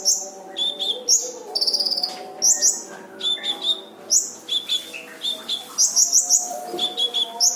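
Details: Vigorous brown-throated sunbird song for training other songbirds, packed with harsh bursts: piercing high notes, a quick buzzy trill near the start, then tight repeated chirps, with steady background hum.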